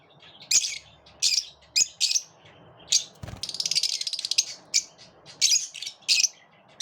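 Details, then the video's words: Grouped lovebirds squabbling and pushing one another away; harsh screechy squawks in bursts, then a long rattling chatter of quick clicks, followed by more shrill calls. "Birds like to live in groups, but they also repel each other"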